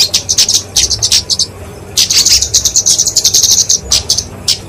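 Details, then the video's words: Kemade flowerpecker (genus Dicaeum) with its fighting song for songbird training and luring; quick high ticks in a short burst, a second of quiet, then a longer sizzling run of sharp notes. "Kicauan Kemade Tarung Untuk Masteran&Pikatan Burung Kecil!"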